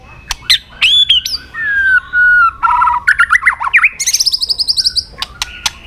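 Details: Fighting song of a white-rumped shama, flicking its tail, recorded to train other birds: looping whistles and a long descending slurred note, then a fast rattling trill and high sweet whistles punctuated by clicks.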